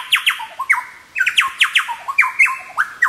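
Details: Chowchillas at Birthday Creek near Paluma, North Queensland, in wild display on a log, giving a fast run of loud, clear descending notes with short ringing tails, crowding one another in an excited chorus.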